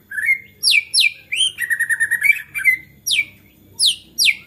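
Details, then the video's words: A white-rumped shama sings in an agitated outburst meant to provoke other shamas into singing: loud descending whistled sweeps, a rippling trill, and sharp upslurred notes repeated in quick succession. "MURAI GACOR NGAMUK BISA MEMANCING MURAI LAINNYA JADI GACOR"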